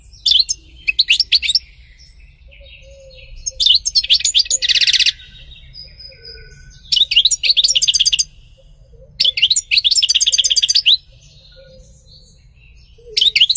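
European goldfinch singing bursts of bright, liquid twittering with a harsh buzzy note, each phrase one to two seconds long with short pauses between.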